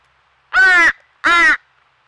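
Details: Two loud, raspy, nasal begging cries in quick succession from a baby crow at a squirrel feeder in Nova Scotia, Canada, where crows chased a squirrel off its treats.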